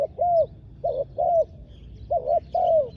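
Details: Spotted dove serving as a decoy on the ground to draw in wild doves, giving loud close coos, short notes alternating with drawn-out falling croos; faint high bird calls in the background.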